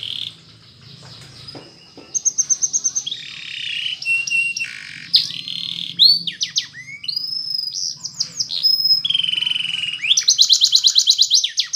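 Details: Canary singing a training song in the Spanish Timbrado manner: after a quiet start, bursts of pulsed trills, gliding whistles and fast chattering notes build to a bright rapid trill at the end, over faint low rumble.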